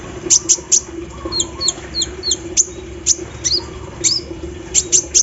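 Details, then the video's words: Kolibri ninja sunbird in full voice while set out in the morning dew, with embroidery-machine-style mimicry: spaced, very high piercing chips in pairs and triplets plus a few short falling whistles, a constant low electrical hum beneath. "KOLIBRI NINJA GACOR SAAT DI EMBUNKAN PAGI HARI ISIAN MESIN BORDIR"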